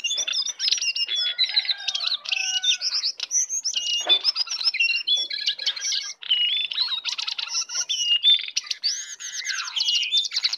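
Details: Oriental magpie-robin, wild and on the attack, sings a long rich medley of whistles, rapid trills and scratchy notes, steady and loud throughout.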